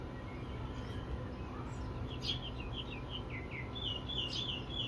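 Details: Fairywren in Sydney, Australia, giving a fast series of high, thin, short notes in a rapid run near the middle, then another quick high burst at the end, over steady background hiss.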